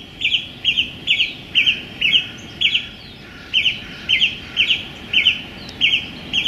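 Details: Male song thrush in full song in a small London park, sunny January day: one short high clipped note hammered out about twelve times at a steady pace, roughly two per second, with faint distant hum beneath.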